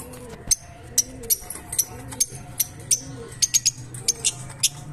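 Shrill, sharp chirps from Fischer's lovebirds, about a dozen in five seconds and sometimes in quick bursts, over a soft low hum.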